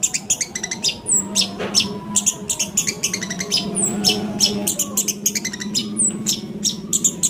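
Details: Long-tailed shrike (pentet) song played as a lure to make another bird sing. Busy, scratchy chattering notes in dense clusters, broken by thin, high, down-slurred whistles every couple of seconds, over a low background drone.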